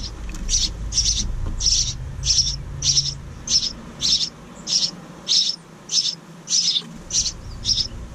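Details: A second family of house wren chicks in a bird house outside a kitchen window call with evenly repeated, high, hoarse hissing bursts, roughly one every two-thirds of a second, over faint low rumbling.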